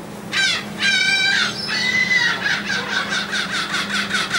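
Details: Seagulls fed on the deck of a ferry leaving Texel island, Netherlands, 28 March 2014: loud drawn-out mewing squeals, then a fast run of repeated yelping notes, with a constant low ship engine drone beneath.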